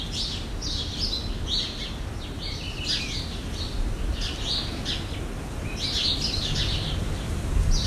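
Jandaya parakeets give harsh, screechy bursts in repeated clusters, some overlapping, over a steady low rumble of background noise.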